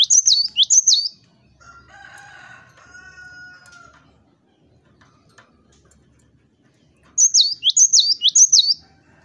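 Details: Cinereous tit (gelatik batu), used to goad rivals into singing, gives bright high repeated phrases in sets of two to three notes. A faint lower steady whistle fills the gap before the song resumes.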